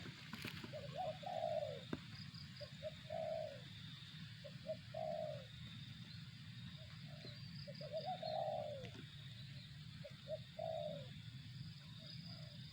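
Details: Spotted dove cooing in spaced phrases of clipped notes and short falling coos across several seconds, with a clatter at the start and constant low rumble and high whine behind.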